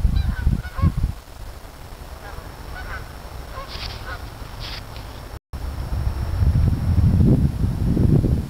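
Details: A large group of geese, low honks near the start and again in a loud rising burst toward the end, with fainter higher calls and a constant low rumble between.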